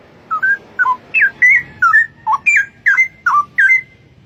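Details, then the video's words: Wild straw-headed bulbul (cucak rowo) singing: a series of nine rich, liquid whistled phrases, each a quick slurred dip or rise, spaced about every half second in a steady flowing run. "Burung cucak Rowo di alam Liar berkicau indah"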